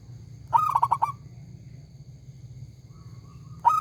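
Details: Singing local zebra dove gives one loud rolling phrase of about five quick mellow coos, followed by a quiet gap with low hum and the start of the next phrase.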